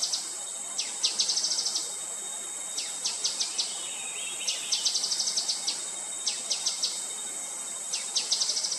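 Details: Grey-headed canary-flycatcher calling: bursts of sharp, very high, thin notes, each burst a quick run of four to eight ticks repeated every second or two, over a steady high insect hum.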